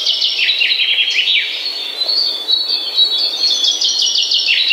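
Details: Birds singing in the morning, with fast descending chirps and trills up front followed by a steady run of high, clear whistled notes and a fresh burst of quick repeated trill notes toward the close.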